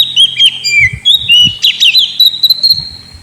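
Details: Oriental magpie-robin in a cage giving a lure song for a sulking bird: sweet sliding whistles, then a burst of fast chattering trills ending on a long, level high whistle, with faint knocks.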